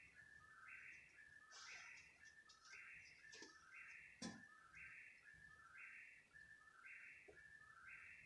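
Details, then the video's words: Night-calling bird heard at 3 a.m., persisting around half an hour: regular whistled two-tone phrases roughly every second, low then high, with a few sharp clicks and knocks in the background. "What kind of bird makes this noise?"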